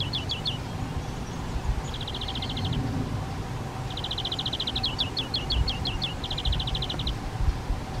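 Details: Spotted flycatcher family at a garden shed nest box, parents delivering flying insects to two nestlings; quick ticking notes and several rapid pulsed rattles follow one another closely, over low rumbling noise.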